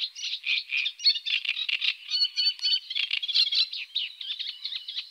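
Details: Eurasian coot (Fulica atra), call.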